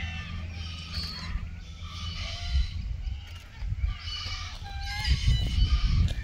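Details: Red-tailed black cockatoos filmed in June 2023 at Keep River National Park during mating and courtship, giving harsh, grating, harmonic calls repeated irregularly, with occasional shorter tonal notes, over steady low rumbling wind or handling noise.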